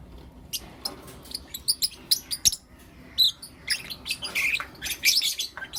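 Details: Lovebirds, Blue Opaline and Lutino Opaline, chirping in the morning: scattered shrill, harsh chirps and squeaks, irregular and high-pitched, with short quiet gaps between bursts.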